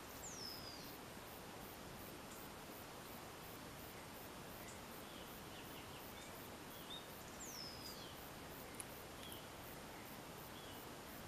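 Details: A female purple-throated euphonia, played to excite males, gives two high, thin whistles that slide downward, about seven seconds apart, over a steady hiss and faint, rapid high ticking.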